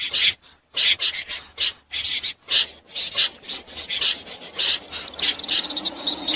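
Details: Common snipe call used as a lure for night net trapping. Harsh, raspy bursts, high-pitched and repeated in quick irregular succession, with short silent gaps between the notes.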